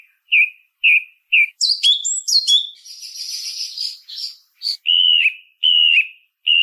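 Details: Song thrush delivers three short whistled notes, a cluster of sharp high chirps, a long harsh rasping passage, then two drawn-out wavering whistles and a final short note, with nothing else audible.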